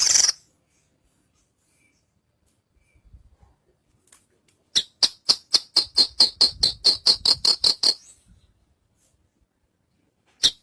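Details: Javan bush lark giving a steady, evenly spaced run of short, high, clicking chirps, around four per second for three seconds, set between near silence, with isolated single notes at the start and end.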